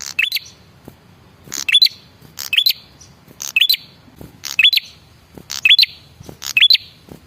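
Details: Male prinia giving a call used to lure other prinias into singing: seven regular phrases, each a scratchy crackle ending in a high upslurred whistle, repeated almost every second.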